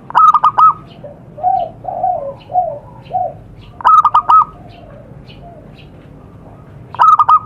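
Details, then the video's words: Lure call of a wild zebra dove recorded outdoors in Indonesia: three loud rapid stuttering coo phrases spaced about three seconds apart, with mellow, lower coos between the first two bursts. "suara pikat burung perkutut di alam"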